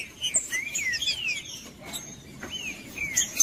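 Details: Green-winged saltator song, used to stir quiet captive birds into singing. Clear whistled sweeps, some slurring upward and others falling, come in short phrases with thin high chirps and a faint steady tone behind them.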